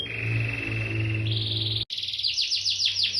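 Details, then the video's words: Fired-up canary delivering a long, even, buzzing roll that jumps higher midway, then after a short pause a string of rapid downward-sweeping chirps, with a faint low hum behind. "Semua jenis kenari auto emosi dan gacor"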